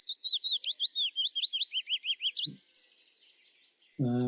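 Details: Willow warbler (Phylloscopus trochilus) song: a quick cascade of about fifteen sweet, whistled notes drifting downward over two and a half seconds, then a man starts speaking.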